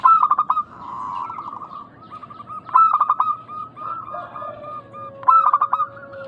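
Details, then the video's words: Local zebra doves played as a lure to draw answering calls: loud stuttering coo phrases at the start, near 3 seconds and again near 5.5 seconds, with softer trilled coos between. "Pancingan burung perkutut lokal gacor suara mengundang bunyi langsung nyaut."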